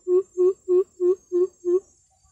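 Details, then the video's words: Greater coucal call played from a speaker to lure birds: six deep, hollow booming notes at a steady low pitch, spaced about three per second, then silence. "Hướng dẫn cách chuyển File tiếng và điều chỉnh loa để bẫy những con bìm bịp tinh khôn nhất"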